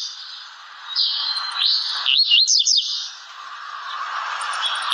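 A blue-black grassquit gives a brief run of high, buzzy, wavering notes lasting about two seconds, over a constant hissing background drone.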